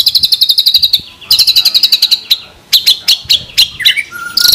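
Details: White-rumped shama tutor song, 'full isian tembakan' style: two bursts of rapid high repeated notes, a few spaced sharp chips, then slurred lower whistles and a clear steady tone.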